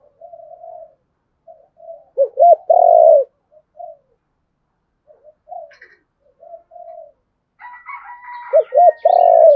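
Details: Spotted dove, male and female birds calling to lure and provoke wild rivals: soft scattered low coos between two loud phrases of double arched hoots and a drawn-out throaty coo, with a brief chirpy sound before the second.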